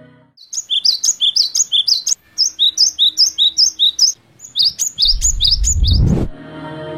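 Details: Cinereous Tit, with races in Java, Bali, Nusa Tenggara, Sumatra and Kalimantan, sings bright, high two-note phrases, about three per second, in three quick runs; a low rumbling thump breaks in near the end.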